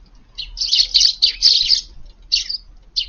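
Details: Sparrows in a garden at midday, busily feeding on a cold, windy winter day; a rapid run of high, chattering chirps followed by two shorter separate calls.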